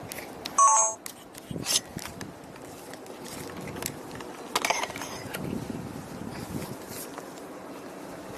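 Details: People talking amid clicks, a short electronic beep and mechanical clatter, with no animal sound.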